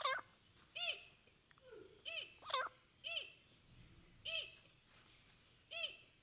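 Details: A young grey francolin, known locally as Deccani teetar, gives a series of loud, arched, harmonic call notes. They repeat roughly every half second to second and a half, with a few softer notes in between.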